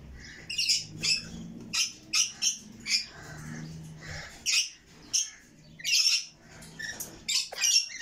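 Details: Red lory chicks producing repeated short, rough screeches in quick pulses, scratchy and high, with uneven gaps between bursts.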